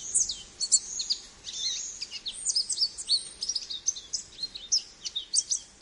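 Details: Singing American goldfinch: a long, rapid, run-on warble of high twittering notes, buzzy slurs and bright whistles packed closely together, barely pausing, with a faint steady hiss beneath.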